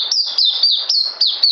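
An Oriental White-eye sings a fast, high, continuous twittering warble, with slurred notes rising and falling in quick, unbroken phrases and no other sounds.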